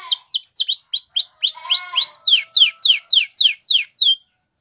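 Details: Spanish Timbrado canary singing, meant to prompt other canaries to sing: a rhythmic run of sharp descending whistled notes with a lower tonal phrase in the middle, repeated about three times per second.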